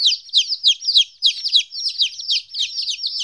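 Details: Fourteen-day-old chicks, newly separated from their mother, peep loudly in quick succession; high descending chirps follow one another several times a second, with a brief gap near the middle.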